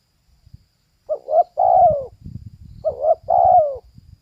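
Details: A female spotted dove coos twice, each phrase a short two-part note and then an extended descending coo, with low-pitched background noise beneath.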